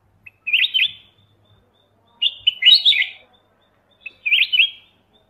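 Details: Black-crested bulbul giving three short, bright, warbled whistle phrases, each under a second and repeated about every two seconds, against a quiet background.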